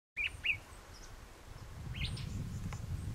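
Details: An unidentified bird, possibly a honeyeater, on the Karani track in Royal National Park gives two quick, bright upslurred chirps, then a short pair of higher rising notes, over a steady low rumble of wind.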